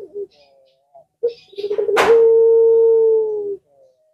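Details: Puter pelung collared dove, whose call other birds reportedly answer, delivering rough pulsing notes that run into one long, even, slightly falling coo. A sharp click sounds just before the long note.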